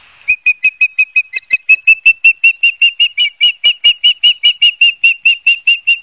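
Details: Ospreys on the nest at Barnegat Light, New Jersey, filmed by a live camera on 12 September 2022, 16:34; a long, insistent series of high whistled chirps, roughly two to three per second, with slight pitch wobbles.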